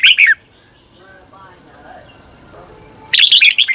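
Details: A red-whiskered bulbul on a Thai training track for cage birds sings a short warbled burst, falls quiet for nearly three seconds, then starts a dense rapid phrase.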